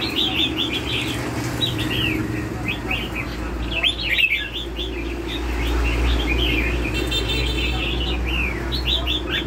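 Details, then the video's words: Sustained lân hầu bò song from a red-whiskered bulbul: rapid trains of bright chirping and whistled notes in long, busy phrases, with brief pauses and a continuous low hum below. "CHÀO MÀO LÂN HẦU BÒ"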